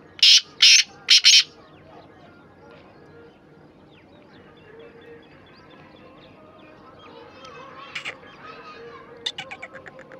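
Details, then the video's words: Black francolin opening with a loud harsh phrase of four grating notes, then a long quieter stretch with faint chirps from other small birds and a few scratchy notes near the end. "kala teetar ki awaz black teetar ki awaz sindhi teetar ki aeaz"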